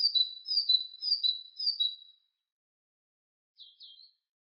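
Great tit singing a bright, high two-note phrase repeated four times in quick succession, then a brief softer pair of notes after a pause.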